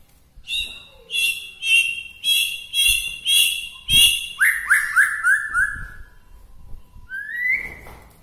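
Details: White-rumped shama from Bahorok, Medan, whose song is said to rouse other shamas: a rapid run of loud, bright repeated chirping phrases, then descending slurred whistles and a final rising whistle.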